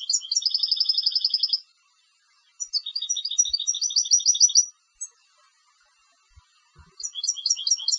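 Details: Competition European goldfinch sings repeated phrases of fast, evenly spaced chirping trills and scattered sharp notes, broken by short gaps, with faint low knocks in the background.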